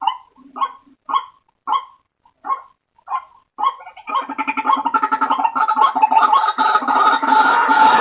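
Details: Lure recording of white-breasted waterhen calling. About seven harsh croaks are spaced half a second apart, then give way to a dense, continuous chorus of overlapping rough notes.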